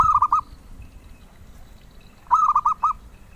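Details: Melodious zebra dove song, prized by collectors: two phrases of four quick, warbling coo notes separated by about two seconds of near quiet.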